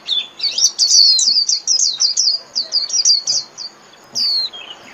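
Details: Líu-style song of a Japanese white-eye, meant for training caged birds: a fast run of sharp high chips and short downslurred notes, then a gap and one long falling whistle at the end.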